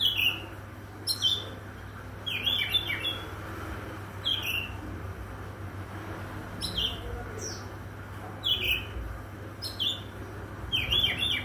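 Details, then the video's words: Oriental magpie-robin singing in the morning: short, bright, downward-slurred whistled notes, often in quick pairs, repeated about every one to two seconds over a steady low hum. "KICAU KACER DI PAGI HARI"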